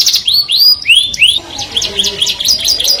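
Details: Melodious song of a canary that draws the opposite sex: a few loud rising whistled slurs followed by softer quick chirped notes repeated about three per second.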